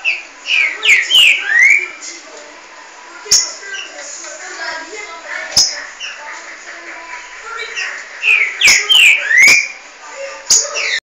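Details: Green-winged saltators (trinca-ferro), two birds matched against each other, singing bright whistled phrases that sweep up and down, in two loud bursts at the start and near the end with quieter chatter between.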